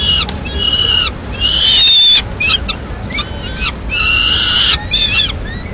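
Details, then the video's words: Peregrine falcon at a nest in Madrid on 21 May 2016. A female brings a piece of pigeon to feed two chicks. Loud harsh harmonic wailing calls come in bursts with short gaps, shrill and strained, some notes bending in pitch. "Halcón peregrino"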